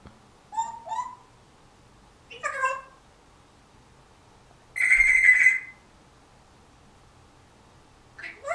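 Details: African Grey parrot, just over a year old, kept as a pet and talking indoors in September 2010: short clipped syllables, a descending word-like phrase, a sustained level whistle near mid-clip, then another brief utterance.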